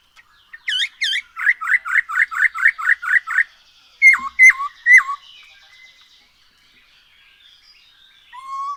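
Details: Black-throated laughingthrush lure song for prompting birds to sing: two high swooping notes, a fast run of about ten repeated chirpy whistles, then three sharply falling notes and a last low whistle.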